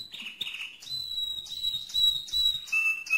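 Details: A mosaic canary gives loud clear whistled notes, pure and repeated in short bursts, stepping down in pitch toward the end with faint background rustling.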